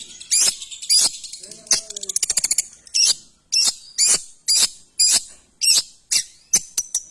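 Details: ['Harsh scratchy notes from a long-tailed shrike, delivered roughly twice per second, broken by a quick rattled trill and a soft lower whining tone early on.']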